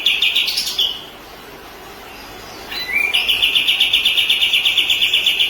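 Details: Training recording of a white-rumped shama (murai batu) meant for other birds to learn. A quick high burst, then a quiet pause, then a rising slur leading into a long, fast run of identical sharp notes, about four per second.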